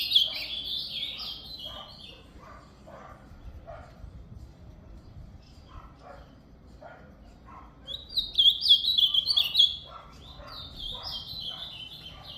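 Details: Ultramarine grosbeak delivering brief warbled phrases of descending high notes, separated by a long pause filled with soft lower chirps and steady background noise.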